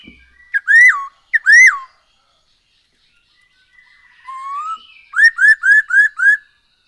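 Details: Black-throated laughingthrush singing, used to lure other birds into song: two loud arched whistles, a pause, a soft rising note, then five quick upslurred whistles in a row.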